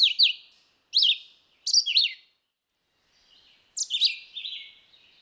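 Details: A red-eyed vireo sings four brief high slurred phrases separated by pauses of around a second, the last one longer and trailing off into a thin fading note.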